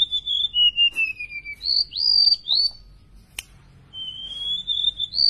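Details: Golden-bellied gerygone, tame and in strong voice: whistles falling step by step, two higher slurred notes, a click, then a long thin whistle rising at the end.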